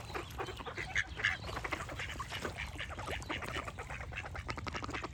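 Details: Ducks calling as a group, with two louder nasal quacks early on standing out from steady overlapping chatter and a low rumble.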